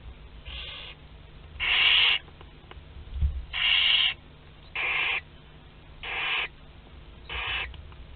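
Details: Young barn owls, two to twelve days old, feeding together in the nest at Théding, France, on 29 April 2021; a series of six rasping, hissy screeches of varying loudness at uneven intervals over faint low hum.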